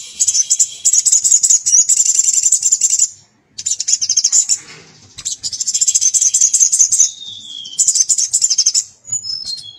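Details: A male crested jay calling to a female gives long, shrill, fast rattles in bursts of about three seconds, broken by brief pauses, with one short descending whistle.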